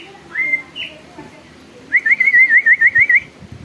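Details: Greater green leafbird in full lively song, said to set other leafbirds calling and excited: a clear rising whistle, then a quick run of about seven wavering, warbled whistles at a steady mid-high pitch.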